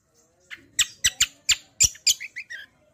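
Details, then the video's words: Kecial kombo, or cucak kombo, singing for use as a lure and song model: a series of loud, sharp, buzzy chips roughly every quarter second, tailing off into softer descending twittered notes. "BURUNG KECIAL KOMBO CUCAK KOMBO ROLL TEMBAK GACOR || UNTUK PANCINGAN BUNYI BURUNG BAHAN MANTAP"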